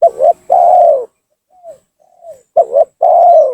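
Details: Spotted dove lure call aimed at drawing rival doves down: two loud phrases of a clipped double coo followed by a long, smooth falling coo, with two faint soft coos in the gap.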